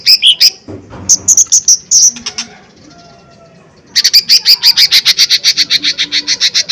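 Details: Lesser green leafbird in full, loud song used as a lure to provoke other birds into singing: shrill high chirps, a pause, then a fast burst of about twenty sharp repeated notes.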